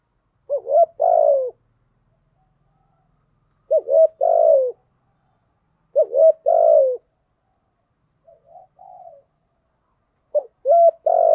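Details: Spotted dove cooing in the thổ thúc style, played as a lure to draw in wild doves: four hollow low phrases, each a quick note then a longer falling coo, about every three seconds, one faint fragment between, quiet background.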